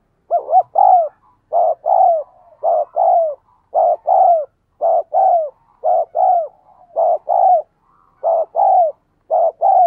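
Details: Spotted dove repeating low two-note coos in 'thúc gù' style, meant to train decoy doves and draw wild doves into cooing; pairs follow roughly every second with soft murmurs filling the gaps.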